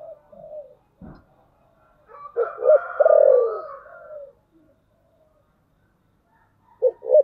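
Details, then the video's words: Spotted dove used as a lure bird, thunder-voice coo style: soft coos, a wavering high drone, two quick coo notes and a loud, long descending coo, then two more short coos at the end. "Cu gáy Giọng thổ sấm/ Tiếng cu mồi thúc bổi"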